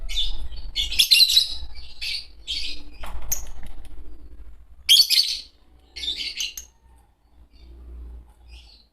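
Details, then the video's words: Fischer's lovebirds, a green pair, trading short shrill chirps in uneven clusters, some loud and some softer, with brief silences and faint low background noise. "Lovebird sounds - Lovebird singing & chirping sounds -Green Fischer Pair"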